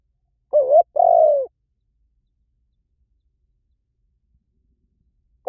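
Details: One full spotted dove coo, recorded to lure doves, with a wavering first note and a long mellow falling hoot, followed by silence and the start of the next phrase at the end.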